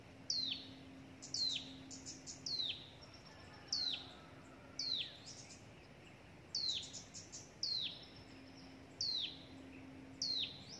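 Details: Hill prinia chick, nearly dying after being fed a gecko by its parent, which also brought a grasshopper. Shrill high whistles sweep steeply downward, repeated about once a second in irregular bursts, some doubled with short extra notes. A faint steady hum runs underneath.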